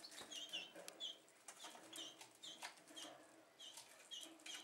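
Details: Canaries relaxing after raising their young give short, high, sweet chirps, one or two each second, amid soft rustling and fluttering wings.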